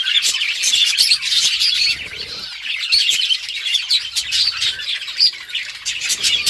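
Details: Several budgerigars chirping while playing with each other give a dense, continuous mix of high, scratchy chirps and warbles, with quick squeaky notes throughout and no pauses.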